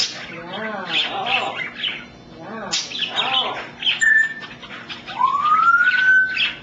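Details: Pet African grey parrot talking in human-like words, with varied speech-like syllables, then clear whistles: a short steady tone, then a long, smoothly rising whistle.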